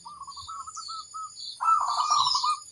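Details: Crossbred zebra dove singing in a training recording; a run of short evenly spaced cooing notes, then a louder burst of rolling trilled coos, with a harsh higher hiss over the end.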